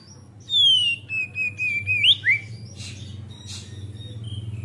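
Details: Captive Oriental magpie-robin singing energetically in the continuous ngeplong style, played as a lure for young untrained birds: a loud whistle sliding down from high to mid pitch, a quick upward flick, then scratchy notes over a low steady hum.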